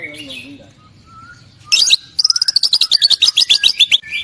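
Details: Murai batu, the white-rumped shama of Indonesia, shown as a keen singer with a full repertoire of song material. Quiet warbling and faint whistles, then a harsh burst followed by a brisk string of high chirps and a closing whistle.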